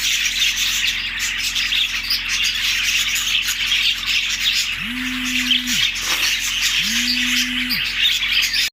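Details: Many budgies chirp in an unbroken, busy chatter of high, scratchy twitters, recorded March 14, 2024, tagged Larkana, Sindh. Partway through, two long, low, even moo-like tones sound about two seconds apart beneath the chatter.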